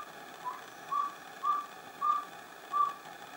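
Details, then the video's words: Pale-billed antpitta from San Lorenzo, northern Peru, in humid montane forest. A softer series of four or five brief, flat, whistled notes arrives about every half second against steady hiss. "Pale-billed Antpitta - San Lorenzo, Northern Peru."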